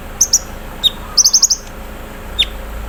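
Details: Olive-backed sunbird (konin) out in the morning dew, giving its 'embroidery machine' filler song: a few high sharp chirps and a short burst of five rapid ticking notes, with scattered high squeaks.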